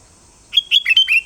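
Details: Sooty-headed bulbul giving a brief burst of about five loud, clear chirping whistled notes in quick succession after a moment of quiet, against an otherwise still background.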